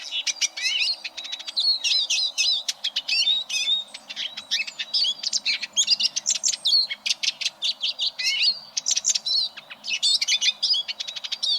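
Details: Eurasian siskin in continuous song, meant as a model for training contest canaries: a long, dense, unbroken twittering stream of high chirps, rattling trills and short slurred whistles.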